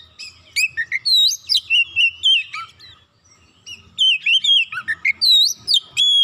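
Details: Oriental magpie-robin, stirred up by one provocation, singing two energetic bursts of varied whistles, chirps and downward slurs separated by a short silence.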